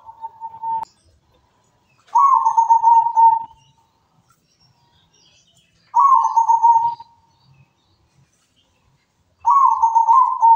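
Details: Repeated song from an energetic local zebra dove: the tail of one coo then three loud, rolling, vibrating coo phrases roughly every three to four seconds, separated by silence.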